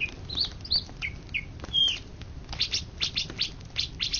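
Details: Greater green leafbird, an Indonesian contest champion of 2013–2014, singing. Short high whistled notes and slurred chirps come first. A run of quick, sharp chip notes follows, repeated about every quarter second.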